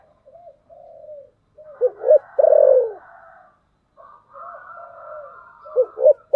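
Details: Lure spotted dove cooing in the 'thổ sấm' voice style: two full phrases, each of soft low notes rising to a pair of sharp coos, the first ending in a loud drawn-out falling note; a fainter higher coo overlaps.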